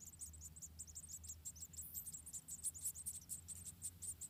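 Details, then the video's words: Begging from around four wild munia nestlings in Indonesia as their mother feeds each in turn, a busy stream of sharp, very high chirps over a steady low background rumble. "The Emrit bird's nest, the Emprit bird feeds its children one by one"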